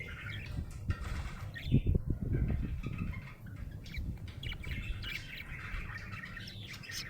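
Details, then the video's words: Chirping from a happy budgie: scratchy, warbled notes rise and fall in a continuous chatter, loudest near the start. A soft low hum runs underneath throughout. "Happy budgie chirping sound"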